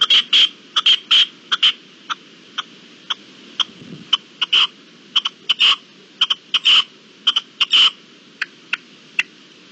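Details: Partridge calling at dawn on 18 April 2021: harsh, rasping chuckling notes delivered in quick pairs and short clusters, roughly one burst per second, loud against a quiet background with faint low rumble.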